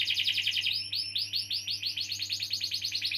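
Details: Canary singing a long roll, meant to prompt young or silent canaries to sing. A dense, rapid trill of bright high notes shifts into quick repeated upward-swept syllables, about seven per second, over a low electrical hum.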